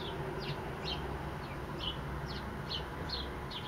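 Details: Sparrow singing: a quick series of short, high, downward-slurred chirps, about nine in under four seconds, over a steady low rumble of background noise.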